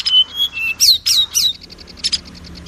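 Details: Oriental magpie-robin song used as a lure to get other magpie-robins singing and boost their confidence: high steady whistles, then three loud swooping notes, followed by a quick run of repeated ticking notes.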